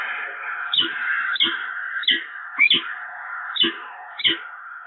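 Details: Peregrine falcons bonding at their Evoluon nest, March 2022: a drawn-out rasping wail is broken every half second or so by a sharp rising chup, six times in a row.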